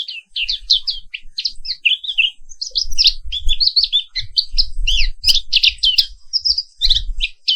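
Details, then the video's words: Caged black-capped white-eye, an Indonesian endemic, in an animated morning song: dense high twittering and chattering phrases, continuous and varied, over some low rumbling noise. "Suara Terapi Pagi Pleci Papua Wiklus"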